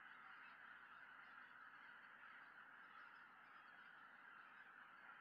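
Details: Wild greater white-fronted geese in early December, a large flock returning at evening to a lake in Tohoku, Japan, under a peregrine falcon's gaze. Steady, dense honking chorus from many birds at once, with no pauses.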